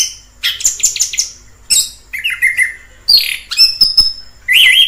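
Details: Orange-headed thrush in the wild delivering varied song phrases: buzzy chirps, short clear whistles and a sustained high whistled note, broken by brief pauses, with a falling whistle closing the passage.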